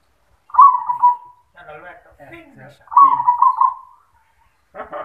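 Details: Zebra dove, with its singing style locally called yoman, giving two trilled, rolling coo phrases of even mid pitch about two seconds apart. Between and after them a person talks quietly nearby.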